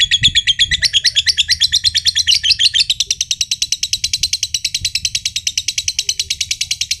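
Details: Josan-coloured lovebird, a kept contest bird from Mojokerto, delivering an unbroken ngekek, the long trill said to make other birds join in. Rapid, shrill, rattling notes repeat densely, shifting slightly higher and tighter after three seconds.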